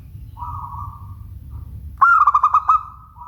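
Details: Local zebra dove singing: a soft, level coo first, then a loud, rolling phrase of about six quick throbbing pulses that runs into a drawn-out tone. A low hum sits underneath.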